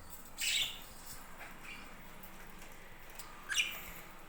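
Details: Budgerigars at a budgie farm: two short, bright chirps, one near the start and one near the end, separated by quiet background hiss.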